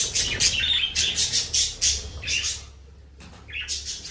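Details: Budgerigars twitter in quick repeated high chirps about four per second, then fall briefly quiet before more chirping resumes.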